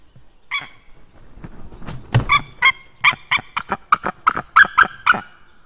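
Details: White-tailed eagle calling on 6 May 2016 at 18:31, male out and female in, perhaps a stranger in the sky: harsh yelping notes, sparse at first, then a fast accelerating run of about a dozen barks, with a low thud midway.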